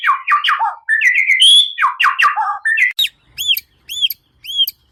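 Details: White-rumped shama singing as a lure for kept birds: fast varied whistled and chattering phrases, then four short, high, arched notes repeated about every half second.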